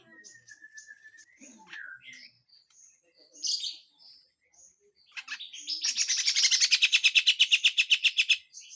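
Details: Grey-cheeked bulbul (cucak jenggot), harsh full song with besetan notes from a training master recording: scattered high whistled notes and a low downslurred whistle, then a rapid, loud buzzy rattling trill lasting about three seconds.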